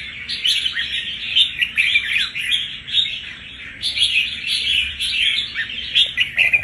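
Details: Wild-caught red-whiskered bulbul, about one month captive and full of fighting spirit, delivers a nonstop jumble of quick warbled and chirped notes, rising and falling in loudness.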